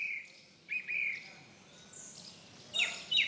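A Song Thrush sings loud, clear high phrases, short whistled notes and a sharp squeaky burst, each phrase given then repeated.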